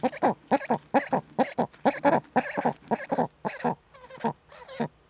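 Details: Courting female Eurasian eagle-owl inside a nest niche, webcam in northern Rhineland-Palatinate, Germany, 10 May 2013: fast, harsh chattering notes, roughly two per second in uneven pairs, fading toward the end.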